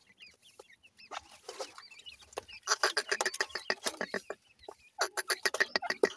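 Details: Dakhni teetar, grey francolin, male and female voices compared: soft thin chirps at first, then a loud burst of rapid, rough clucking notes repeated several times a second.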